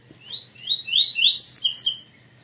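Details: Captive double-collared seedeater in Brazil, a bird kept for breeding, delivers a rapid run of clear whistled notes, each sliding upward, climbing higher and speeding up toward the end over a low background hum.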